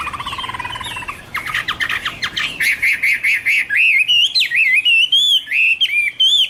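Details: In a 2016 hwamei recording, a low warble gives way to a fast train of sharp repeated notes, then to bright, wavering whistled phrases rising and dipping in pitch.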